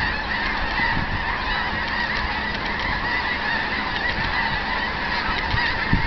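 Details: Flock of snow geese near Eagle Lake, Texas, February 2011, many in the air after feeding in a field. A somewhat softer, even wall of overlapping honking and yelping goes on throughout.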